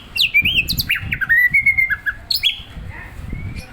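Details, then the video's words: Caged white-rumped shama being provoked into singing: loud varied whistled phrases sweeping between about 2 and 5k, with rapid slurred notes and a rising whistle, amid low background rumble. "Memancing emosi muray batu"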